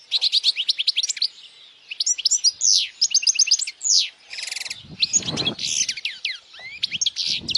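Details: European goldfinch singing strongly, meant to train young goldfinches and draw females; continuous rapid twittering with bright chirps, fast buzzy trills and a brief rattling noise midway.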